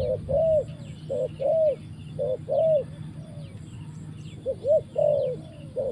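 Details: Trapping-decoy spotted dove cooing in a repeated pattern of short and longer rounded coos, about one per second. A brief pause comes midway. Faint high chirps sound throughout.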